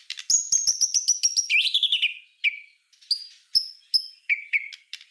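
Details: White-rumped shama master song for tutoring other songbirds: a rapid burst of high sharp notes, then a falling slurred whistle and spaced bright chips and trills, clean with no other sounds.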